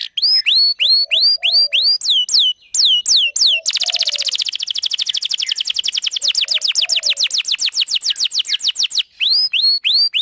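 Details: Canary singing to lure a male and teach young birds: repeated clear upward-curving whistles, then a long dense rolling trill of rapid notes lasting several seconds, ending with more rising whistled notes.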